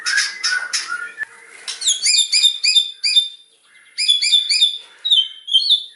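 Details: Loud 'nembak' song of a white-rumped shama: a series of sharp, high whistled phrases repeated in quick runs with short gaps, bright and ringing throughout.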